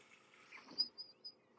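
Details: African firefinch calling unseen from bushes at Djuma, Kruger area, South Africa, on a sunrise drive in April: three quick, thin, high clicking notes spaced about a quarter-second apart, over soft background hiss; a louder whistle in the background is another bird.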